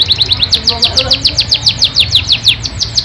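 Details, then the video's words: Yorkshire canary delivering a steady stream of quick, sharp descending chirps, about three per second, bright and high, over a soft low hum. "Kenari YORKSHIRE DURASI PANJANG ISIAN MEWAH"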